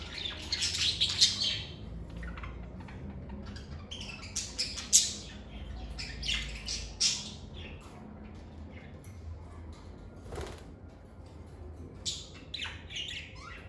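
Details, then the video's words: Rapid, shrill squawking chatter of lovebirds, a dense run of harsh high calls for the first seven seconds, then sparser chirps, a quiet stretch and a final flurry of squeaks. "Lovebird Singing & Chirping Sounds"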